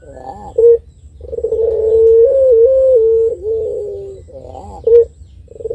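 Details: Barbary dove (puter pelung), a contest bird, singing its long-voiced song meant to stir rivals: short low coos, then a drawn-out steady hoot lasting about three seconds with slight pitch steps, ending with another brief coo.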